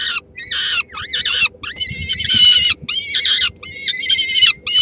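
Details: Feeding time at a peregrine falcon nest in Helmond, Netherlands, with the female sharing a small morsel among three-week-old chicks; loud, buzzy screaming in rapid bursts about every half second, punctuated by short silences.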